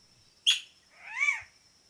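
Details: Squirrel cuckoo (Piaya cayana) in central Veracruz, Mexico, a shy bird usually heard before seen, gives a sharp, explosive note, then a drawn-out arching call that rises and falls, over a steady high insect hum.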